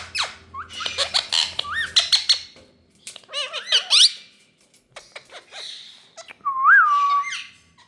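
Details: Rose-ringed parakeet (ringneck green parrot) in India: clusters of sharp squawks and chatter, then a few clear rising-falling whistled notes with pauses between them, ending in a longer looping whistle.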